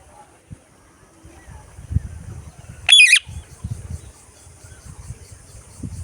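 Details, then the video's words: Parakeet giving a single brief harsh squawk midway, a raspy stacked call, surrounded by soft low thumps and rustling handling noise. "Parrot Sounds , voice টিয়াপাখির ডাক"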